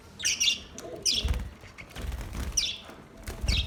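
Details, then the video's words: Budgerigars calling in short, separate bursts of sharp descending chirps, spaced about a second apart, with soft low thumps between the calls. "Budgies chirping sound"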